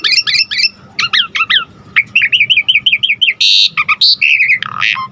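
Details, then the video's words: Asian pied starling singing actively in full varied song, meant to stimulate and tutor other songbirds; quick whistled chattering notes, a run of even rising-falling chirps, then harsh bursts and falling whistles. "Jalak Suren GACOR Full Isian Gampang Dan Mudah Masuk Untuk Pancingan Masteran Semua Burung"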